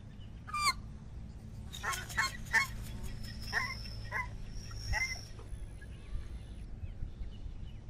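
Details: American white ibis giving a scattered burst of short, nasal, honking notes, several in quick succession and then spaced out, over a steady low background rumble.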